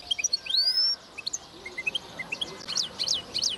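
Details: Linnet × goldfinch mule recorded in 2010: a bright upslurred whistle opens, then scattered soft high notes with pauses, ending in three loud, evenly spaced sharp chirps.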